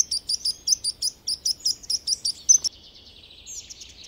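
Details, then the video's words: Baby chicks with their mother hen: rapid, thin, high peeps about five a second for two and a half seconds, ending in a sharp burst, then faint softer chirping trailing off. "Animal Sounds Of Cute mother and Baby Chicks"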